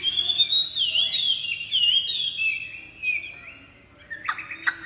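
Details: Chinese hwamei, a large-bodied bird with pure white wing feathers praised for its excellent voice, sings a rich run of clear whistled phrases at a high pitch, with quick slurred notes rising and falling. A few sharp clicks follow near the end.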